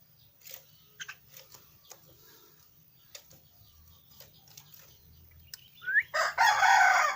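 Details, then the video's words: Young caged pet Javan myna, kept in a cage. Scattered faint clicks and soft chirps give way to a loud, harsh, rasping burst lasting about a second at the end. "Suara Anak Burung jalak kebo"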